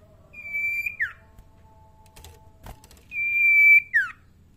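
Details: Young common iora, tame and still singing quietly: two long flat whistles, each ending in a sharp downward slur, separated by a pause with a knock or door-like sound.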